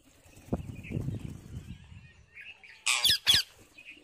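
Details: Wild parrot eating seeds: soft rustling and low thumps first, then two loud, rasping high squawks close together near the end.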